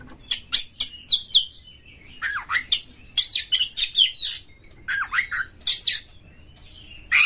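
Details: Energetic Oriental magpie-robin song with rough, harsh material, used to set other magpie-robins singing. A rapid string of clipped high notes leads into dense bouts of swooping whistles and grating buzzes.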